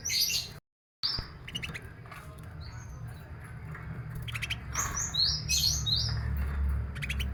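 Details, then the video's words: Canary being sunned in the morning, between eight and ten, to make it livelier in song and healthier; clicking ticks give way to a cluster of high, quickly slurred whistled notes, with low rumbling background noise. "Jemur Burung Kenari"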